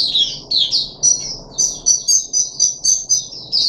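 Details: Puff-backed bulbul kept in a cage, third day of deworming, 14 July 2021, gives bright high-pitched chirps: a few slurred, wavering notes, then a steady series of short piercing whistles roughly every quarter second, with soft background hum.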